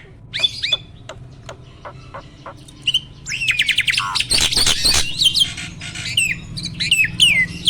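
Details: Mature male Asian pied starling at stable breeding peak, pumping while singing: sparse clicks and squeaks build into a loud, dense jumble of harsh rasps, whistles and downslurred notes.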